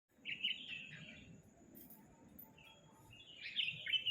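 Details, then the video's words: Sooty-headed bulbul singing: two short warbled, slightly descending phrases, one at the start and one near the end, separated by a quiet gap. A steady low background hum runs throughout. "Kicau kutilang"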